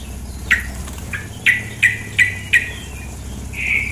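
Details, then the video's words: Female sooty-headed bulbul uttering sharp, downward-slurred chips, five in close succession about every third of a second, then a longer buzzy note, over running water. "terapi suara trukcuk betina + air mengalir"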